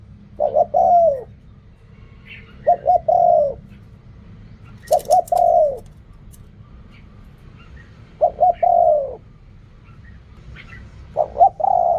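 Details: Spotted dove cooing in reak kham, khu kham and ok rong styles, with five phrases spaced about 2.5 seconds apart. Each phrase is a stuttering triple note and a long falling coo. Faint chirps and one brief click are also heard.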